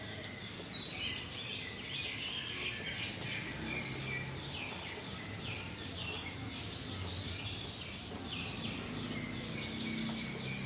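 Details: Yellow-vented bulbul (trucukan) after a rain-bath meant to calm it: dense bursts of bright chirps and short warbled phrases run throughout, over steady water-like hiss and scattered sharp clicks.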